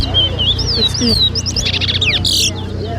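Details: Large-billed seed finch, called towa towa, at a 2023 bird whistling competition in Lusignan, Guyana: bright slurred whistles, then a quick rattling trill of high notes, with people talking and low background hum.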